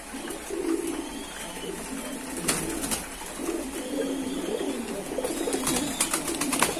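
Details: Low gurgling coos from several loft pigeons overlap continuously, joined by scattered clicks, taps and rustles from the birds' surroundings.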